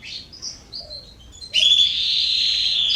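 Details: Softer twittering notes from September 2020 garden canaries give way to a loud, sustained buzzy trill.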